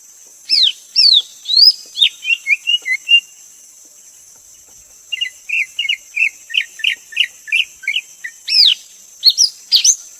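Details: A Greater green leafbird sings high sweeping whistles and quick chirps, pauses, then resumes with an even run of short clear notes ending in louder rising sweeps, backed by a constant high insect-like hiss.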